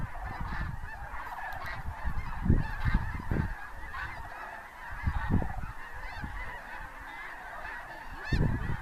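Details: Hundreds of snow geese lift from cornfields at Bosque del Apache just before sunset in January 2014, giving a dense, continuous chorus of nasal, high-pitched yelps and squawks; lower trilling is Sandhill cranes. A low rumble of wind or wingbeats runs underneath.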